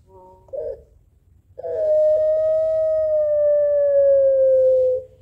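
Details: Barbary dove of the pelung type answering a rival's calls back and forth: a brief soft note, then one long, steady, tonal drawn-out coo lasting over three seconds that sags slightly in pitch toward its end before stopping.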